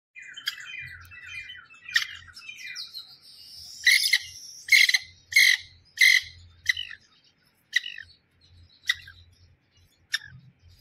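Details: Wild grey francolin calling: a burst of high, scratchy chirping notes, then loud harsh broadband calls repeated about every half second, spacing out to single notes near the end, with a low rumble underneath.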